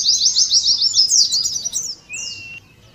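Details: Oriental white-eye ngeriwik chatter as a lure for contest simulation: about two seconds of rapid high twittering, then a single sustained whistle that fades out.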